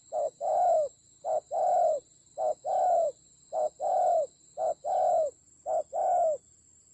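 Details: Spotted dove decoy fighting fiercely in the Central Highlands of Vietnam, 19 October 2020, repeats a rhythmic short-long coo pair six times, nearly once a second, low and hoarse, over a constant thin high whine.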